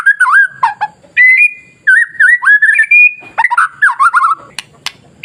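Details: White-rumped shama masteran song meant to provoke other shamas into singing: loud, clear whistled phrases with rising and falling slurs, a long steady high note, then quick chattering notes and sharp clicks near the end.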